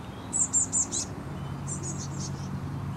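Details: Fledgling Eurasian blue tit in shrubbery awaiting food: a rapid run of four sharp, very high chirps, then a softer, fading series of similar notes over steady low background hum.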